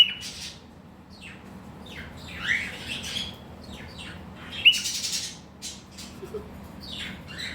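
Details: A cockatiel playing peek-a-boo with heart-shaped wing display gives short, scratchy chirps and squawks, mimicking a spoken phrase.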